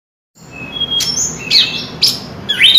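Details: Chestnut-capped thrush singing in short bursts: sharp high whistled notes and sliding strokes with gaps between phrases, faint background hiss.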